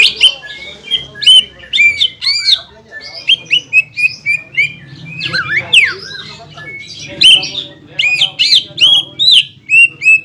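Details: Greater green leafbird singing to provoke a rival: busy, varied whistled phrases with steep rising and falling sweeps and sharp chirps, delivered almost without pause.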